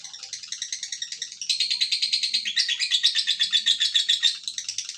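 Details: Long ngekek trill from a lovebird, a high buzzy stream of fast chattering notes that grows louder midway and holds steady before easing slightly at the end.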